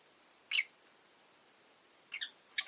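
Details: Rosy-faced lovebird giving three shrill, harsh chirps: one lone burst, then after a long pause a quick double chirp and a louder final shriek. No other sounds stand out against the quiet.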